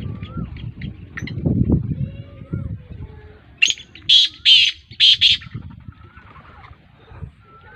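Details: Black francolin, the Sindhi nasal kala tetar, calling: a short series of four harsh, grating bursts spaced about half a second apart, preceded by low rumbling noise and faint scattered chirps.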